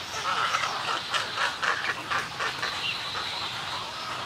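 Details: Snowy egret colony heard close up, with colony and greeting calls as a rapid series of short, hoarse, nasal squawks, irregularly repeated, several birds calling at once.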